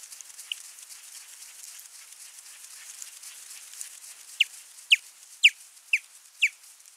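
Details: Osprey calling at its nest, recorded by nest camera 3 on 28 July 2021: a single sharp whistled note, then after a pause a run of five loud, downward-slurred whistles about every half second, over soft patter and hiss.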